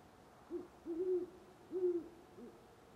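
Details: Near sunrise in Parker, Colorado, on November 25, 2011, a great horned owl gives a series of four deep hoots: a brief first note, two drawn-out ones, then a softer final hoot.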